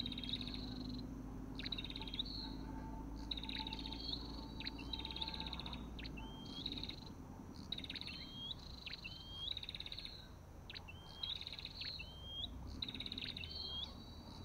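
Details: Olive-backed tailorbird calling steadily for many seconds, alternating crisp clicking chips with short hooked whistles that climb then level off, against low background drone.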